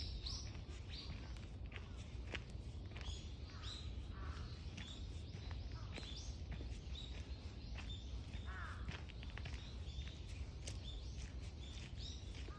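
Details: Birds singing together in a green park, heard while walking; many overlapping short chirps and whistled phrases run throughout, over a steady low rumble and footsteps.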